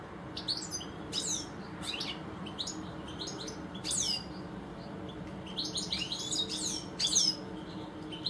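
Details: Two European goldfinches in a garden; light, tinkling twitter of quick slurred notes and short trills, scattered throughout and growing busier toward the end, over soft background hiss.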